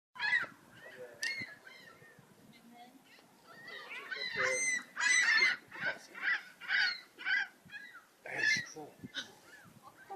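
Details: Seagulls calling, a series of loud, harsh, nasal cries in quick succession, each with a strong mid-pitched core, interspersed with shorter yelps and some softer background chatter.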